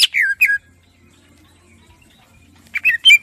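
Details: Greater green leafbird singing clear, varied song used as training material for captive birds: two quick, clear down-slurred whistles, a short pause, then a loud burst of three or four rich, chirpy notes. The background is otherwise quiet.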